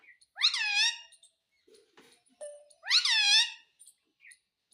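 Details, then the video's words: Pet Indian ringneck parakeet, said to talk in Hindi and say mummy; two drawn-out, nasal, harmonic utterances about two and a half seconds apart, with a few soft clicks and squeaks between them indoors. "mummy mummy bolta tota - talking parrot - mitthu mitthu"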